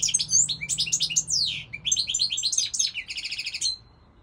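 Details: Continuous goldfinch song of rapid, tinkling twitters and slurred whistles, closing with a short repeated rattling trill and one drawn-out thin note before falling silent.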